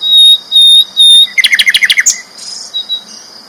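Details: A loud, vigorous sikatan londo flycatcher gives three long high whistles, then a quick series of about ten rapid chirping notes, fading into softer chatter.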